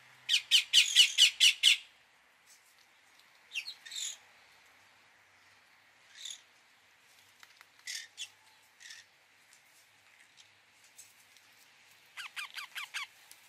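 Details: Indian ringneck parakeet calling: a fast burst of harsh, rhythmic screeches, then scattered squawks and chirps, ending in a quick series of descending squeaky notes.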